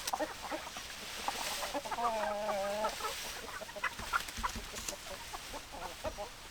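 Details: Hens and roosters: a flock of chickens clucking in short irregular bursts, with one drawn-out wavering call of about a second, over a busy background of scattered clucks.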